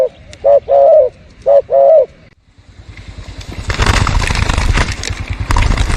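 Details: Spotted dove behind house plants, bird-luring recording: two short-then-long mellow coo pairs, followed by rising, rushing vehicle noise that fills the rest.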